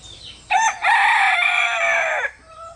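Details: Rooster, one of three communicating with each other near their hens, gives a full crow: a short opening note, then a long, loud, harmonic call held for nearly a second and a half, ending abruptly; a faint call follows.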